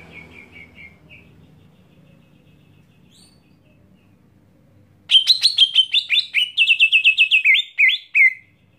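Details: A greater green leafbird screams a harsh, rapid burst of about a dozen strident high calls in three seconds after a few soft chirps, a call meant to provoke other leafbirds, over a faint low hum.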